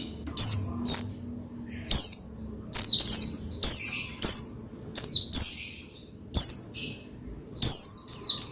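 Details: Pleci, the Oriental white-eye, singing to excite another pleci into song: a steady series of sharp, high, descending chirpy phrases repeated roughly every half second to second.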